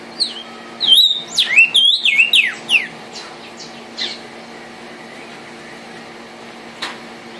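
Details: Singing red vermilion cardinal: a tight cluster of looping, downward-sliding whistles over about two seconds, a few softer trailing notes, then quiet with one sharp click, against a low continuous hum.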